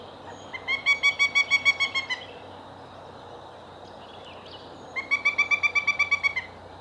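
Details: A young male Pileated Woodpecker, the smaller of two nestling brothers at their cavity, gives his first real call on a morning in May 2017 after studying his brother's call. It is two loud ringing runs of about ten quick wuk notes over a soft hiss.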